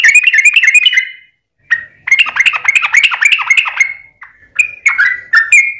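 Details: Sooty-headed bulbul in energetic lure song that prompts other bulbuls to reply: dense rollicking phrases of bubbly whistled notes, a short pause, another long tumbling run, then a few separate slurred notes.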